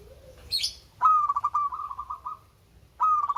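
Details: Local Indonesian zebra dove (perkutut) with a melodious voice: a brief high chirp and a faint low tone, then a rolling coo that starts with a bright note and breaks into quick, even pulses. The phrase begins again near the end.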